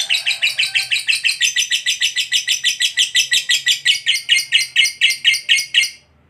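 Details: Lovebird (fighter type) giving a long 'ngekek panjang' trill, said to draw other lovebirds into singing: a rapid, harsh, evenly repeated chattering series of about two dozen notes for six seconds, stopping abruptly.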